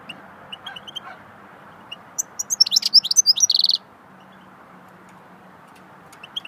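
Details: A goldfinch sings swittey song: scattered single chirps lead into a rapid sequence of bright, high twittering notes that ends in a sustained buzzy rattle, then quiet with a couple of faint chirps.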